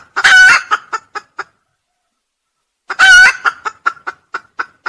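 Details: Red junglefowl crowing, recorded for use as a bird-trapping lure: two loud, harsh, rasping bursts about three seconds apart. Each is followed by a run of short, clipped, evenly spaced notes, with silence between the bouts.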